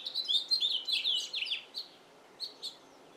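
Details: A male house finch sings in a yard, a lively cascade of sweet, slurred warbled notes for about two seconds, then a pause and a few scattered chirps.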